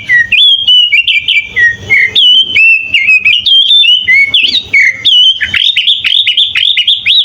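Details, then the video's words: Kutilang master song, full isian, from a sooty-headed bulbul: loud sliding whistles and upslurred notes strung together with short sharp ticks, ending in a quick series of rising flicks; low hum in the background. "Suara kutilang full isian"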